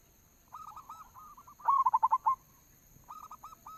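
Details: Zebra dove, local type, giving a lure song meant to set other doves singing: soft stuttering coos, then a loud rapid string of about six pulsed notes, then softer coos again after a short gap.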